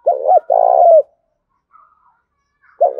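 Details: A spotted dove kept as a decoy coos steadily to attract wild birds. One low phrase of two short coos and a drawn-out quavering croo falls away, then a quiet pause and the next phrase begins.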